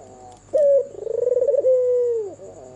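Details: Red-eyed albino white turtle dove cooing at night: one sustained, soft, low coo opening with a clear note, wavering through a quick pulsing stretch, then holding level before dropping away; a faint thin electronic whine persists.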